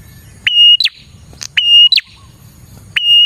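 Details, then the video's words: Prinia song used as a lure to attract prinias: a loud, steady whistled note with a sharp start, then a quick downward chirp, the phrase given three times with a soft low rumble behind. "suara burung prenjak gacor ini 💯% Cocok Buat pikat dan pancingan prenjak bahan"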